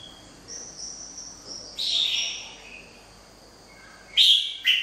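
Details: Wild-caught red-whiskered bulbul: a faint thin whistle at first, then a louder slurred whistled note, a pause, and a sharp bright two-part chirp near the end.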